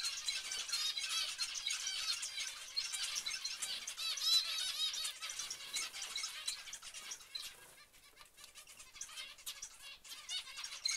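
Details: Many zebra finches calling together: rapid, crowded nasal beeps and chattering notes, thinning out after about eight seconds into scattered clicks and softer calls.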